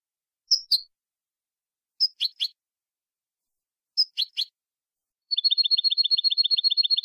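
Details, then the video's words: European goldfinch, Málaga copia-style song recording from 2020 meant for tutoring young birds: bright high chirps in clusters of two or three every two seconds, then a fast even trill of about twelve notes, with no other sounds. "تغريد حسون كوبيا مالقا لتلقين الفراخ ©chant copia malaga chardonneret"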